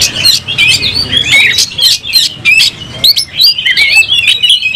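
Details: Agitated oriental magpie-robin, a caged bird fighting with tail fanned, pours out fast high warbles and slurred whistles broken by loud percussive clicks and rattles, phrases tumbling into each other.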